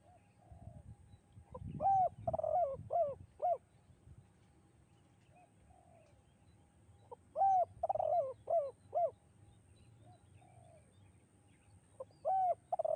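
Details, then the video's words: Spotted dove singing a melodious, echoing two-note 'kuk 2' style song. Three phrases of arched, hollow coos, with a rolling trill in the middle of each, come about every five seconds. A low rumble is heard early on. "bergema suara tekukur kuk 2 dan mengalunkan 2 irama merdu mendayu"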